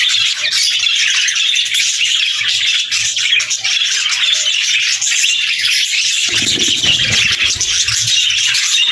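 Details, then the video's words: Budgies give a continuous stream of high chattering chirps and raspy twitters, joined after six seconds by low rustling, fluttering noise. "Budgies Chirping Sounds"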